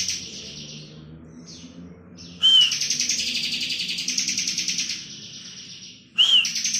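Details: Bar-winged prinia (ciblek kristal) singing energetically in ngebren style: a brief faint buzzy stretch, then a short whistled note leading into a long, rapid, buzzy rattling trill, with a second phrase starting at the end.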